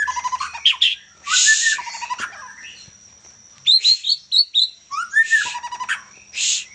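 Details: Young white-rumped shama singing a loud, varied song of clear rising whistles, rapid chirped trills, short buzzy bursts and repeated high notes in quick phrases separated by brief pauses.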